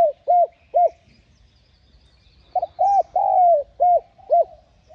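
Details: Spotted dove (cu gáy) cooing to draw in wild doves: two spaced short coos, a pause, then a quick string of arched notes including one long falling coo.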